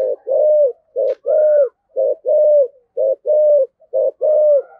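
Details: Decoy spotted dove giving the thổ-style 'thúc gù' coo meant to provoke wild doves: paired low hollow notes, a short coo then a longer slurred one, repeated about once per second in a steady rhythm.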